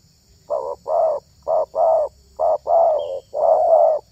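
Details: Spotted dove lure call, loud low coos in a quick run of paired notes, each pair a brief note and a fuller longer one, four pairs in close succession.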